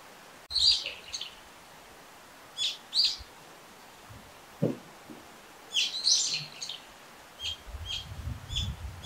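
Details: Brown-eared bulbul calling often: clusters of shrill, scratchy notes in bursts every second or two, a dull knock midway and low rumble near the end.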